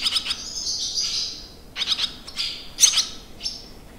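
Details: Loud, close barn swallow twittering at a campsite in the Limousin countryside, France, on 25 June 2023, with slurred high warbled notes and sharp chirps in four quick bursts.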